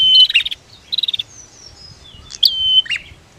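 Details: Female and male prinias calling in turn, used to stir silent birds into singing: sharp high chirps, a fast ticking trill of about six notes, then a thin falling whistle and further bright chirps.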